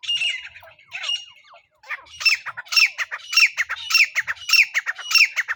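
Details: Francolin call used as a lure for net trapping: harsh, squawky notes with a bright ringing tone, first two spaced calls, then a steady run of calls about every half second.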